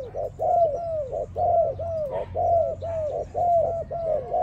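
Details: Spotted dove song for training, a run of mellow, low cooing notes, each with a slightly rising-then-falling arc, repeated about once a second in a steady rhythm, with a faint low background hum.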